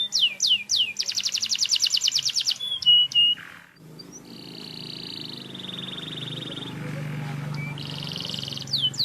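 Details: Canary in semi wiper style: quick falling whistles, then a fast buzzy trill, a brief pause, and long steady whistled tones held at one pitch over a background of low rumbling noise.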